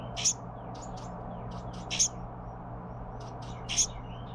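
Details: Young Carolina wren being fed by its parents gives high, raspy, hissing begging bursts, a loud one about every two seconds with fainter ones between, over a steady low hum.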